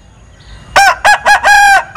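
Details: A Linh Kê rooster with an odd crow gives a very loud, staccato crow of four clipped bursts, the last one longest, with a clear ringing tone.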